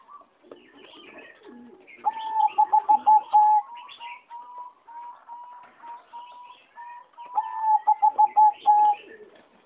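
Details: A singing zebra dove, a bred competition line, sings in an aviary on 26 April 2014. It gives a loud burst of rapid stuttered coos, a run of softer spaced level whistles, then another quick stuttered burst ending in a held note.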